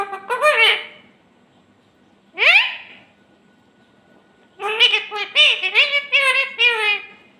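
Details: Talking parrot with clear speech-like phrases, a sharp rising whistle near the middle, then a longer run of quick spoken syllables, in a quiet room.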